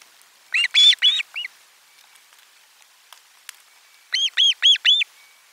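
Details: Osprey calling at the nest around a lunchtime fish delivery: a short burst of three or four loud, sharp chirps, a brief pause, then four evenly spaced high whistled notes.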